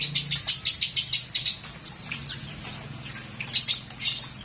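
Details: A lovebird delivers a fast series of shrill, high-pitched chirps, about ten in a second and a half, then goes quiet apart from two bright chirps near the end, with a faint low hum underneath.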